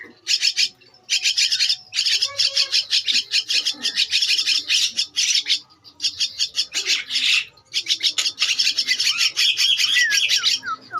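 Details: Javan myna nestling, two weeks old, producing long runs of loud, hissing, rasping begging notes, nearly continuous with brief gaps, and a few thin whistled slurs near the end.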